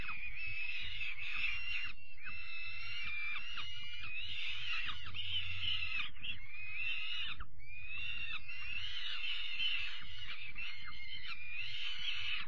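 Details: Juvenile peregrine falcons fed their evening meal, 5 May 2021; repeated bouts of harsh, rasping screams, each a few seconds long with short gaps, above a constant low hum.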